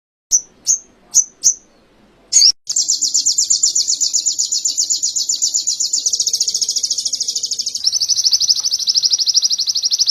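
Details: Training recording of canary song: four evenly spaced high chips and a short burst open into a long, fast, ringing trill that steps down in pitch twice while holding its rapid rhythm.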